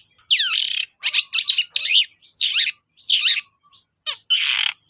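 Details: Long-tailed shrike song meant to provoke other shrikes into singing: harsh, rasping, buzzy phrases with squeaky slurred notes, delivered in separate bursts about half a second long, ending in a broad grating screech.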